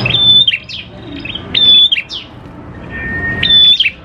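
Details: Prinia singing, a recording meant to lure other prinias into song: three high phrases, each a clear flat whistle followed by scratchy chirps, spaced about one and a half seconds apart, with a faint low tone between.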